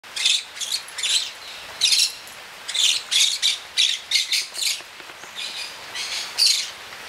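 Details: A captive maroon-bellied conure being trained to bring a coin to a platform for food gives harsh, raspy squawks in quick irregular bursts, about two a second, with short pauses between runs in an otherwise quiet room.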